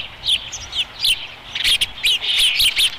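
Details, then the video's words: Osprey calling at the nest during a feeding, Dunrovin Ranch, 30 May 2016: bursts of piercing chirps, some slurred downward, grow denser toward the end, with short gaps between. "Dunrovin Ranch Osprey Nest Video 2016 05 30 131957 3rd Feeding"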